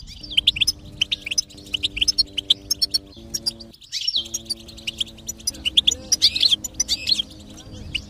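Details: Goldfinch song meant to stimulate a silent bird to sing: bursts of quick high twittering and trilled chirps with a brief pause midway, over soft steady low tones in the background.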